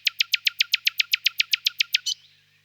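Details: Nightingale song phrase of about fifteen loud, harsh, broadband notes struck at an even fast rhythm, with a low steady hum underneath throughout.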